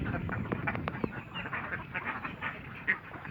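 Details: Crowded ducks in Assam, India, produce a busy stream of short, nasal quacks, some louder and closer, others distant, with one sharp higher note near the end.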